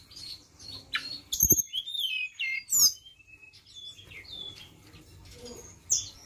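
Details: Flowerpecker song as a lure, soft high sweeping whistles and chirps with a few louder sharp clicks, fairly quiet overall.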